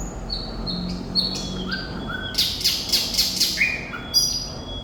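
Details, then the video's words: Thrush nightingale (sikatan londo) singing strongly. Sweet whistled notes at varying pitches are interrupted by loud, rasping, buzzy bursts repeated roughly twice a second, then more whistles. "Sikatan Londo Thrush Nightingale Gacor"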